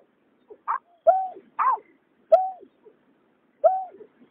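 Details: Water rail, male and female, 2021: a few short, reedy calls, a level nasal note bending downward alternating with higher rasping notes, spaced irregularly over a few seconds in otherwise quiet surroundings.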